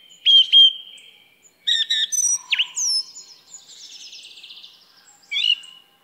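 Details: Song thrush singing. Two loud whistled notes come first, then a cluster of squeaky chips, a sharp upward slur and a faint buzzy trill, ending with one more bright whistled phrase. No background noise is heard.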